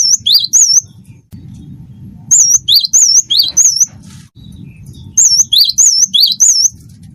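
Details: Wingko cinereous tit singing to encourage other birds: repeated ringing, high, upward-curling whistled notes in groups of three to five, pausing about a second between groups, with a low hum throughout.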